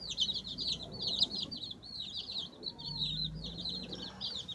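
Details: Young chickens scratching and pecking while a group keeps up shrill, rapid cheeping in overlapping bursts, with low scuffling and tapping noises heard beneath.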